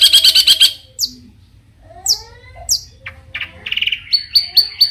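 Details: Long-tailed shrike singing to provoke other shrikes: a burst of rapid chatter, then scattered sharp downslurred whistles, soft slurred notes and a short trill, ending in quick high chips.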